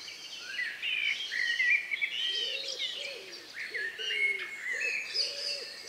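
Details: Several birds singing in the countryside on the evening of May 2, 2020, around 9 p.m., just before nightfall, as the last birds sing. Dense overlapping whistled and trilled phrases, with soft, low, rounded notes repeated underneath. Recorded outdoors with a MixPre-3 recorder and KM184 microphones.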